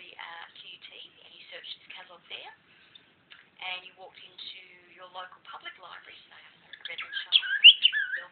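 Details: Pet cockatiel indoors, talking over a lecture and to its owner's toes: rapid, high chirpy chatter of short buzzy and whistled notes in irregular bursts, louder toward the end, with faint background speech.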